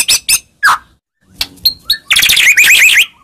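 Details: White-rumped shama singing to provoke a reply: scattered sharp clicks and short notes, then a dense, loud run of chattering, warbling phrases.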